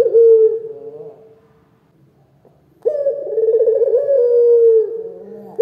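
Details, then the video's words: Local Indonesian turtle dove (puter lokal) with a big, lively voice: a loud, low, drawn-out rolling coo, then a pause of near silence, then a second long wavering coo that trails off slowly. "SUARA PUTER LOKAL GACOR, SUARA BESAR DAN GACOR!!"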